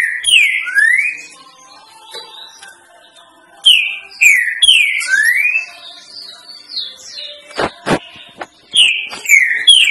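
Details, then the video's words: Green-winged saltator, 'três notas boi' song meant to train young birds, repeats a whistled phrase three times: two falling slurred notes and a rising sweep, with a few faint clicks and taps between phrases. "TRINCA FERRO 3 NOTAS BOI PROFESSOR"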